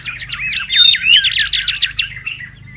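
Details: A lively wild mangrove whistler, used for luring and tutoring, gives a short, dense, chattering run of high chips and slurred whistles with one clear rising note, over faint low hum.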